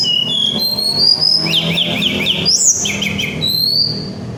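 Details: Little Pied Flycatcher, known as tledekan gunung, singing to provoke flycatchers: rising whistles followed by rapid repeated downslurred notes, then another trill and a final rising whistle; low hum underneath.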